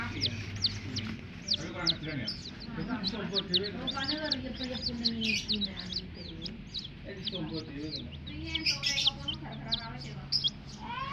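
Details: A crowd of coloured hen chicks chirps nonstop with dense, shrill, high peeps, each sweeping sharply downward. Men talking in Indonesian and Javanese can be heard underneath.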